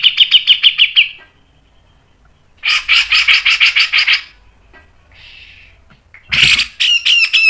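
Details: Grey-cheeked bulbul (cucak jenggot) singing the fast, tight 'ngepik nembak panjang' masteran style. Rapid buzzy chattering trills are broken by pauses, with a harsh burst near the end followed by sharp whistled notes.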